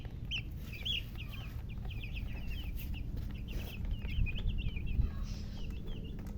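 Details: Chorus of newly hatched chicken chicks chirping loudly, dense strings of shrill, clipped peeps from several birds almost without pause, with a constant low background rumble.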